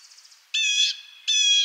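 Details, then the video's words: Blue jay in eastern North America giving two harsh, nasal, buzzy calls, each under half a second and about three-quarters of a second apart, after a faint, rapid, higher chatter. "Blue Jay Sounds"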